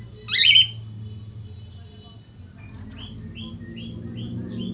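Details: Lure call of a budgerigar for encouraging other budgerigars to sing: one loud rasping chirp, then a quiet stretch and a series of faint, short upslurred notes, with a steady low background hum.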